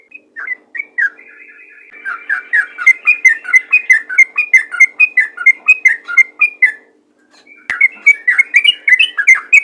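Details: Yellow-vented bulbul calling in the ropel ngalas style to attract other bulbuls: a few scattered chirps, then a rapid chattering run of bubbly notes, a brief gap, and another fast burst, over a soft steady hum.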